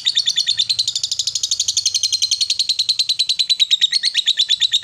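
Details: Female fighter lovebird giving a long ngekek chatter, used to provoke rival lovebirds: a rapid, even train of high, scratchy notes, about ten per second, running unbroken for the whole five seconds.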